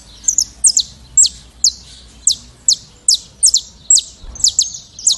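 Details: Saffron finch (canário-da-terra) giving its classic song: a rapid series of high, sharp descending chip notes, roughly two to three per second, some doubled, over a quiet background with faint low rumble.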